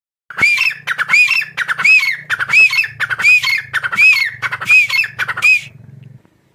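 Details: A group of grey francolins in grassland at Rahim Yar Khan, Pakistan, gives loud, harsh, ringing phrases, each ending in a rising-falling squeal, about eight in quick succession, over a low steady hum.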